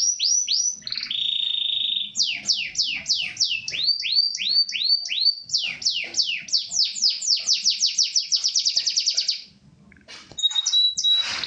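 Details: Singing Gloster canary, Corona form: whistled slurs and a brief buzzy roll, then a long accelerating string of descending notes that merges into a rapid trill, a short gap, and soft closing whistles.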